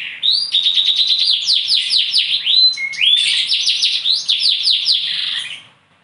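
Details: Bottle-green canary from Indonesia delivering a dense, high-pitched song of quick repeated trills, whistled upslurs and chopped rolling phrases, fading out at the end.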